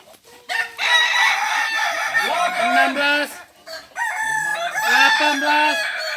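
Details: At a crowing contest in Ampang Kualo, Kota Solok, balenggek roosters give drawn-out multi-step crows, each tier falling in pitch, with two or more cocks calling over one another throughout.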